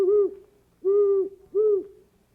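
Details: Great Horned Owl gives three deep, mellow, slightly rounded hoots about 0.7 seconds apart, with no other sounds; owls use such calls to identify each other.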